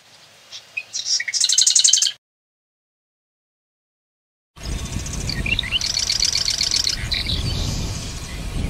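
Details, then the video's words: Small North American wren, the marsh wren (Cistothorus palustris), delivers two rattling, fast-pulsed trills, the first clean, then a silent gap, and the second over a steady background hiss and low rumble. "Marsh Wren"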